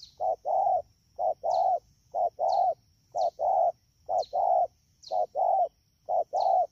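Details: Wild-caught spotted dove at Đak Tô, recorded 3 October 2019 in the rainy season, cooing in quick paired phrases, a short coo then a longer one, repeated about once a second, with a steady faint high whine behind.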